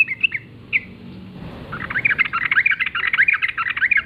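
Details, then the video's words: Sooty-headed bulbul, wild, singing in the morning: a couple of short chirps, then a long, busy chattering phrase of rapid bubbly notes repeated densely for about two seconds over faint low background noise. "trucukan gacor ngalas pagi hari suara khas trucukan liar"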